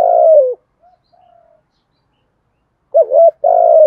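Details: Spotted dove giving urging coos and calling crows. A low, mellow, drawn-out coo, then a short pause with faint notes, then a wavering double coo followed by another sustained coo. Quiet background.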